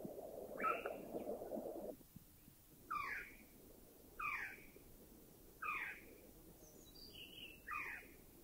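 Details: A Greater Yellownape in a Thai national park gives loud, squealing notes that drop in pitch, repeated every one to two seconds, with a low rumble at the start.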